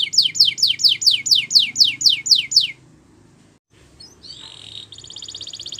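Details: Belgian canary, singing for training young canaries, delivers about ten evenly spaced high descending sweeps, falls silent briefly, then resumes with a short whistle and a thin, fast, high trill.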